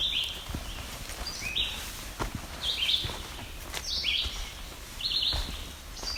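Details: Yellow-bellied Sapsucker in rocky forest along the Niagara Escarpment at Barrow Bay, gives nasal, squeaky calls like a rubber squeeze toy, about once a second, with footsteps and rustling.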